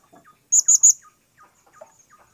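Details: Blue-crowned hanging parrot, a bird being tested for the first time, gives three sharp, very high chirps in quick succession, followed by faint scattered lower ticks and twitters.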